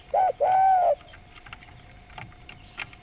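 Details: Spotted dove (derkuku) singing vigorously in a melodious style: a short low coo, then a longer, steady, slightly arched coo, followed by quiet background with faint clicks and a steady thin tone.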